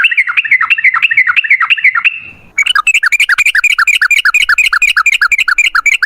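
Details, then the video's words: Sooty-headed bulbul in long rapid-fire song, a lure to make other bulbuls sing: warbling run of rising notes, a brief pause, then a faster, very regular stream of quick upswept notes, about three per second. "Suara trucukan gacor ropel ngalas buat pancingan trucukan agar bunyi"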